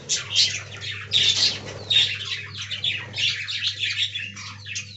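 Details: Aviary budgies, described as talking, produce clustered loud squawks and buzzy warbles in uneven bursts, with quieter twittering between and a steady low hum throughout.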